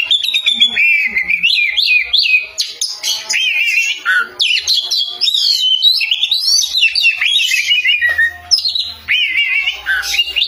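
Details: Oriental magpie-robin singing loudly and vigorously: a continuous, rich stream of varied whistled phrases with rising and falling slurs, quick trills and sharp notes, barely pausing over ten seconds, with a faint low hum near the end.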